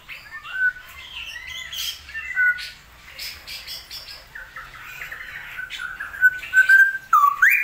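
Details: Straw-headed bulbul in a rainy season. It sings varied liquid whistles and chattering notes, and the phrases grow louder and more rolling at the close.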